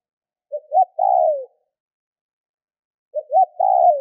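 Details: Spotted dove calling to stimulate other doves to call: two cooing phrases, each two short low coos followed by a longer drawn-out coo that falls at the end, against a silent background.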